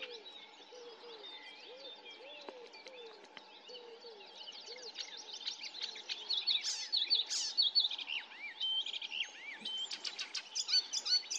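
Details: In Løten in 2024, an icterine warbler sings a fast, varied jumble of high chattering, squeaky and whistled notes. Low slurred whistles from another bird sound early on, over a steady hum.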